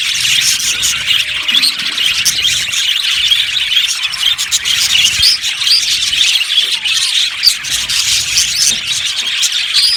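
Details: Aviary colony of budgerigars producing continuous massed chirping, a thick high-pitched chatter of overlapping squeaks and twitters with no pauses, the whole flock calling at once.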